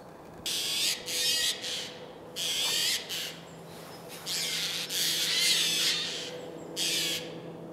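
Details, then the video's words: A pair of wild tawny owls, the larger female perched above and the male below, in Losiny Ostrov in January 2019. Harsh, raspy bursts of about half a second come in irregular runs, broad and hissing with a faint tonal core, over quiet background hum. "Серые неясыти"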